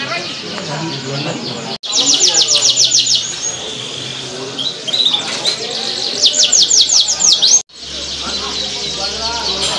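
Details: Canaries at a singing contest in Auditorium Linggarjati, Kuningan, on Sunday 11 June 2023. They give fast, high buzzy trills in repeated bursts, with brief gaps of silence, faint crowd murmur and low hum underneath.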